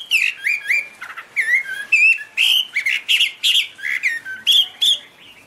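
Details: Chinese hwamei giving high, pure song while waving wings and tail: loud clear whistles, some rising and some falling, delivered in short repeated bursts with brief pauses between.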